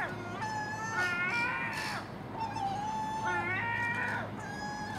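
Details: Common gulls, with magpies and crows, make a racket in early morning over garbage left out at a house: nasal, mewing calls with a slight downward slur overlapping at a relaxed pace, a crow possibly calling in the mix.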